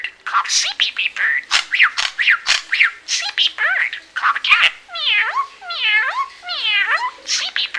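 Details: Budgerigar, a male mimic, chatters in a fast, scratchy warble of mixed notes, then gives a run of four or five swooping, meow-like slurred calls, mimicking meowing.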